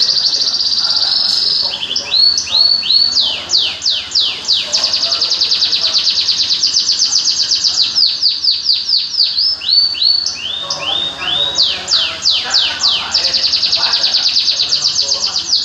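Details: Continuous vigorous bird song mixing dense buzzy trills with series of sharply downslurred whistled notes, delivered at high pitch for the whole stretch.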